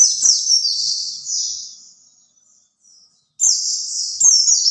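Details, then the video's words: White-eye song played to lure other white-eyes: high, thin warbled phrases sliding downward in quick runs, a pause of about a second of near silence, then the bright twittering resumes with faint clicks underneath. "kicau pleci buat pancingan pleci lain"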